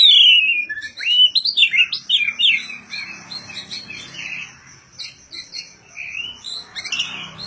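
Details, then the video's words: Caged oriental magpie-robin said to be ready for a singing contest, singing varied whistled phrases with sharp rising and falling notes, bright chirps and trills, loud at the start then softer, more scattered notes. "SUARA BURUNG ngobra tanpa MBAGONG !!"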